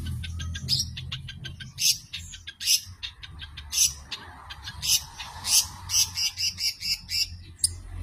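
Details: Long-tailed shrike singing a rapid series of sharp, high, scratchy notes and short chattering bursts, loud clustered phrases roughly every half second, with a steady low hum in the background.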